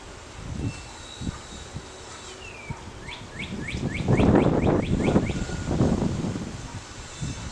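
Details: A chickadee chick being fed by an adult, in a nest that also holds a cowbird chick, begs with a falling whistle, then a quick run of about ten thin, high downslurred notes, over steady low traffic rumble.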